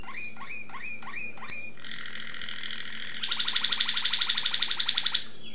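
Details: Malinois Waterslager canary recorded in 2011 singing a series of rich harmonic notes repeated about four per second, then a sustained buzzing roll and a bright, rapidly pulsed watery trill.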